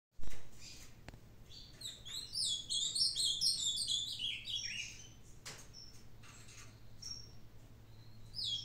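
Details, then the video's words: Ultramarine grosbeak, an old kept bird still singing well, recorded 22 May 2022: a fast run of warbled, slurred whistled notes for about three seconds, then a few scattered high notes over a steady low hum. "Azulão Pedra Bruta - meu "veinho" ainda mandando bem"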